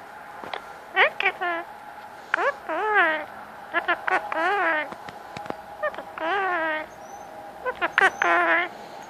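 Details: Pet male Indian ringneck parakeet talking at cuddle time to get attention and petting: a run of chattering, strongly harmonic phrases with rising and falling bends, in bursts over nine seconds, indoors.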